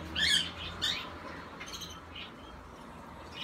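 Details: A barn owl (Tyto alba) chick recorded on 5 August 2017 gives two harsh, hissing screeches in quick succession, then softer raspy bursts, over a low indoor hum.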